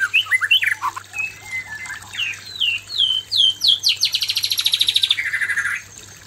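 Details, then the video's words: Male White-rumped shama facing an aggressive female, therapy song for pairing; descending slurred whistles building into a fast buzzy rattle, ending in a sustained rasping note. "suara murai batu jantan menghadapi betina galak"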